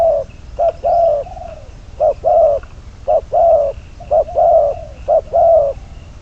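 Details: Spotted dove kept as trapping decoy, bird number 22, delivers repeated two-part coos, a brief hoot and a longer hollow note sliding slightly down, about five pairs, with a faint high background tone.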